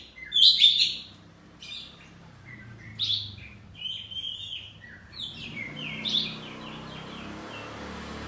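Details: Domestic poci oriental magpie-robin giving ngeplong-style song: short sharp whistled bursts spaced a few seconds apart, the first loudest, with faint low room noise between.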